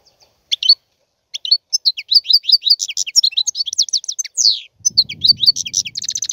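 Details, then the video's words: European goldfinch singing a long, varied twitter of high slurred and buzzy notes after a few isolated chirps, with soft low rumbling near the end. "احسن وافضل تغريد طائر الحسون"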